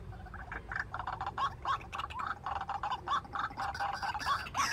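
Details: Decoy white-breasted waterhen calling from a trap cage to draw in wild birds: rapid, croaking mid-pitched notes repeated about three to four times per second, uneven in rhythm, over a low background rumble.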